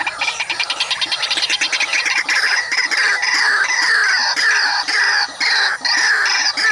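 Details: White-breasted waterhen arriving to harass a rival at a mirror decoy trap, giving loud, grating, nasal calls that start as fast stuttering pulses and run into continuous harsh repeated phrases with brief breaks.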